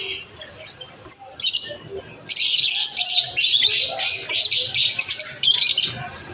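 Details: Lovebirds at lunch time chirping in a burst of loud, high, shrill chatter. Rapid squeaky notes run almost continuously for several seconds after a quieter start with a few scattered chirps and faint background voices.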